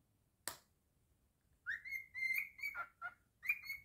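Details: Cockatiel kept as a pet performing a whistled tune: a sharp click, then an upward slur into a long held note broken by quick dips, ending in a bright rising whistle.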